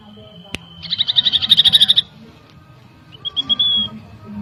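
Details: Common iora song as a lure to provoke agitation: a click followed by a brisk trill of sharp notes lasting about a second, then quiet, then a thinner series of rising whistled notes.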